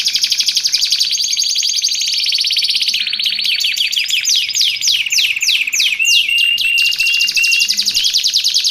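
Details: Canary singing for a training and luring recording: a long high rolling trill, then fast repeated falling sweeps, then a steady buzzy trill with a thin whistled overtone near the end.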